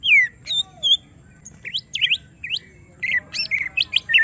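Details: Greater green leafbird provoked to display its full song, delivering separate slurred whistles and quick upward sweeps spaced apart, then a tighter cluster of bright notes.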